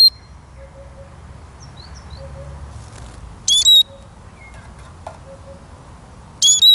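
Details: Eurasian siskin uttering brief, high, clipped twittering phrases with pauses of several seconds between them; soft faint notes are heard in the gaps.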